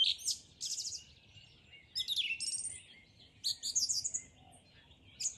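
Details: Bird singing in the morning, giving short, bright trilled phrases of rapid repeated notes, separated by brief quiet gaps.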